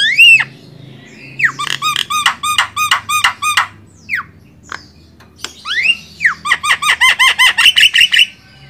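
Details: Javan myna used as a master song for training songbirds: upslurred whistles followed by long repeated rows of ringing, harmonic chattering notes, with sweeping squeals between bouts, close and clear.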